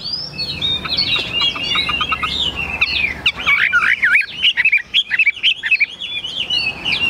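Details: Caged Chinese hwamei from Vietnam in a dense, varied song: tumbling whistles, chattering notes and rapid trills run together with hardly a break, over light background noise.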